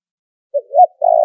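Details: Spotted dove trapping lure call, cleaned of noise: one phrase with a short note and a rising note, followed by the start of a long buzzy coo that is cut off.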